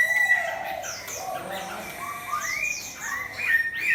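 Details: Chinese hwamei competition bird paired with a fighting bird, giving softer whistled slurs and short upward-sweeping notes, growing louder toward the end.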